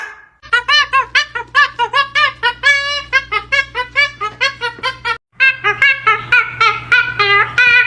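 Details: A pet cockatoo, described as extremely noisy, gives a fast run of loud, nasal, squawking notes, two or three a second, then a brief pause before more, indoors amid people shouting and laughing over a steady low room hum.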